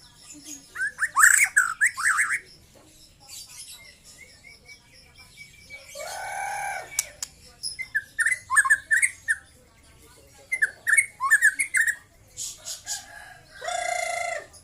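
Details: Young white-rumped shama, just past the speckled juvenile stage, sings scattered phrases of quick slurred whistles separated by quiet gaps, with occasional loud broad rasping bursts between the phrases.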